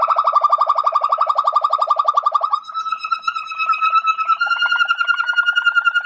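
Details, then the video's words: ['Waterslager canary giving a rapid low rolling trill that shifts into a higher, steadier trill with bell-like overtones, continuous and clean.'] "من أجمل و أحسن تغاريد طائر المالينوا واترسلاجر CD Chant Canari Malinois Waterslager"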